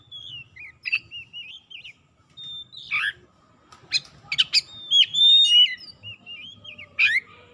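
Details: Oriental magpie-robin lure song to prompt silent birds: wavy whistled runs, a rough falling note, a flurry of sharp chips, bright sustained whistles, more wavy phrases and a harsh burst near the end.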